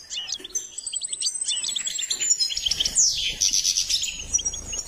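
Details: Goldfinch singing during bird training: a rapid, high twittering run of short chirps and liquid trills, with a long thin whistled note drawn across the top and a brighter burst around the third second.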